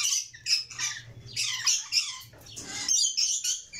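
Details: Red lory chicks uttering harsh, grating squawks and wheezy rasps in quick irregular succession, with a faint low hum underneath.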